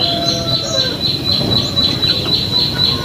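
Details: Prinia known as prenjak lumut, lure song meant to get birds to reply: a high sharp note repeated steadily about four times a second, over a constant low hum.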